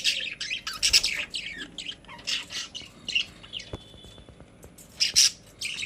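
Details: Caged budgerigars kept as pets give scattered high chirps and scratchy warbles in clusters separated by short quieter gaps, with a few faint clicks in the room.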